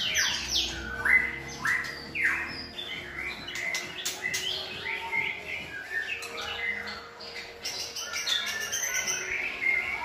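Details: Good-voiced white-rumped shamas serve as singing tutors for a selected shama; sweeping whistles and sharp descending notes come in short phrases, with a faint hum underneath.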